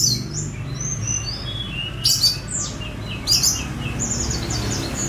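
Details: Sunda robin (tledekan gunung), a released bird, giving thin high whistles and scattered slurred notes with a couple of louder broadband bursts, over low rumbling noise; recorded on a phone.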